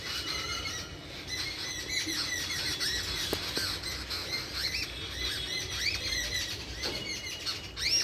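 Many small birds call at once, a dense chorus of high chirps, squeaks and short arched whistles, with a steady low rumble underneath.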